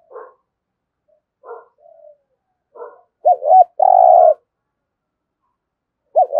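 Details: Spotted dove giving the 'thúc gù' coo style: a few soft, low muffled notes, then a loud two-part phrase, a quick wavering double coo followed by a long steady coo, with another phrase starting at the end.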